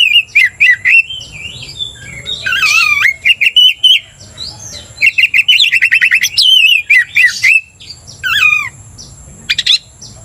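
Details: Oriental magpie-robin kept in a cage, provoked into an aggressive mood by another magpie-robin's song, pours out fast rattles, looping whistled phrases and sharp chips in dense bursts separated by short gaps.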